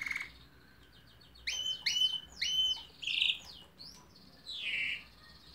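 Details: Canary singing a varied phrase: soft rapid ticks, then a series of loud rising whistled notes, a rasping buzzy note and a swooping slurred whistle.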